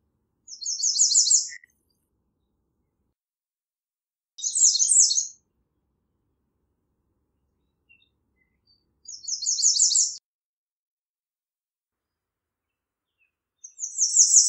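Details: American redstart singing repeatedly: four short, high, thin songs spaced about four to five seconds apart, each a fast burst of repeated downslurred notes, with quiet gaps between.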